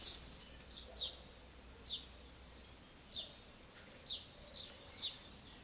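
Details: Eurasian wryneck chicks begging as adults feed them termites, ants and other insects, Alzira, Valencia, Spain, May: high, thin descending notes repeated roughly once a second, with a brief rapid burst at the start and soft low background hum.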